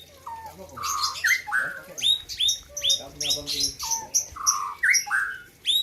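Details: Gayo-bred white-rumped shama from Aceh, singing at the Presiden Cup 2021 competition stage: alternating mellow fluty slurs and bright rising whistles in a lively varied sequence, with faint voices underneath.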